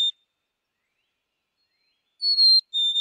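Black-capped Chickadee giving its clear whistled two-note fee-bee, a higher pure note dropping to a slightly lower one, after a long quiet gap.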